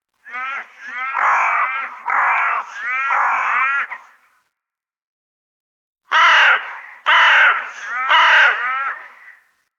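A common raven gives two bursts of three harsh, croaking caws each, hoarse and rasping, separated by a couple of seconds of silence.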